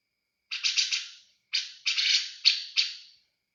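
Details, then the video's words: Caged grey-cheeked bulbul uttering harsh chattering clusters: a three-note burst, a pause, then a single note and grouped rasping phrases ending in two slurred calls. Background otherwise silent. "Burung Cucak Jenggot bakalan Prospek"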